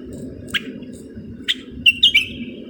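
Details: Moroccan common bulbul giving a few isolated chip notes followed by a quick, bright whistled flourish, over steady low background noise.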